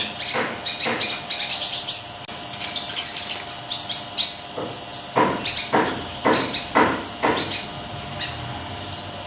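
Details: Energetic song of a Siri-siri kecil: a long, fast run of shrill, high-pitched repeated notes broken by loud sharp clicks, fading into quieter background toward the end.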